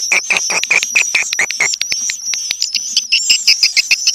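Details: Swiftlets calling: a rapid train of short buzzy chirps, roughly seven per second, with a high steady tone running through the whole stretch.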